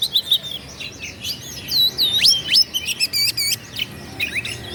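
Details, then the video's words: Oriental magpie-robin singing to provoke rival birds: dense run of high whistled loops, trills and rapid upslurred notes, about three per second, uneven rhythm, quiet background. "KACER GACOR LAWAN PASTI NGAMUK EMOSI NARUNG BUKA EKOR"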